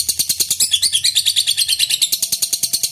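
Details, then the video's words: Long-bout lovebird ngekek, used to lure rival birds to sing: rapid high chirping notes repeated several times a second, with squeaky twittering in the middle and a steady rhythmic chatter. "Lb ngekek durasi panjang, burung lovebird gacor"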